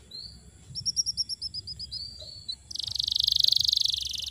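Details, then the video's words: Canary lure song for canaries that have gone quiet: a short series of evenly spaced chirping notes, a brief slurred whistle, then an abrupt loud, dense buzzing trill. "PANCINGAN KENARI MACET BUNYI PALING DI CARI"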